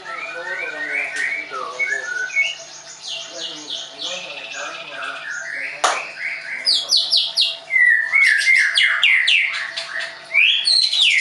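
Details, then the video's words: Caged Leuser-type white-rumped shama at a bird school in Tangerang, Indonesia, delivering a long, varied song of rapid high chips, buzzy bursts and ringing whistles that grows louder and more complex toward the end. "MURAI BATU LEUSER"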